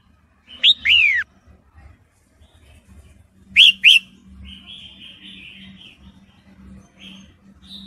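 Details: Female red-whiskered bulbul in breeding condition calling to a male, used as a lure for males: a pair of sharp downward-slurred chirps, a pause, two more quick chirps, then a buzzy wavering note and short high notes over a faint hum.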